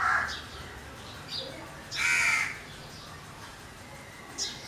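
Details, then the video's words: Hoarse caws from a crow, a short one opening, then a louder drawn-out caw at two seconds, with faint softer calls and a quiet background. "Crow bird sounds or noises."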